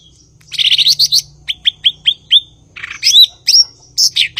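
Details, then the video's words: Blue-winged leafbird in vigorous song: a dense chattering trill, then five sharp descending whistled notes in quick succession, closing with scratchy calls and looping high whistles. "Burung gachor Cucak ijo/Ranting"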